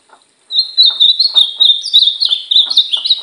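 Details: Ultramarine grosbeak song during training: a continuous warbled phrase of sweet whistled notes, wavering and stepping upward then dropping in pitch, with faint low ticking underneath, lasting nearly three seconds.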